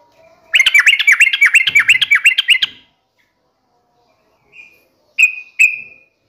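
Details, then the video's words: Sooty-headed bulbul song used as a lure to prompt a kept bird to sing: a rapid series of about a dozen bubbly, looping notes, then silence, one soft note and two loud clear whistles. "pancingan trucukan gacor"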